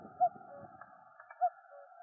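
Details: Common cuckoo in the Noordduinen dunes near Den Helder, Netherlands, gives its soft hollow two-note cuck-oo, first note higher, second lower and fainter, about a second apart over steady background hum.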